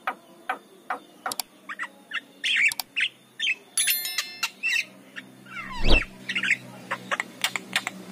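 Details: A Javan myna sings in the morning, a recording meant to attract other mynas. Scattered clicks, short whistled slurs and a buzzy, nasal note, then a sudden low thump near the end before the chatter resumes.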